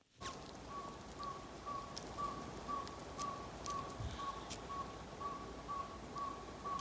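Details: A Northern Saw-whet Owl calls in woods around 9 p.m. in spring at Greensboro Bend: a long series of short, even, whistled toots, about two per second, like a truck backing up, over steady hiss.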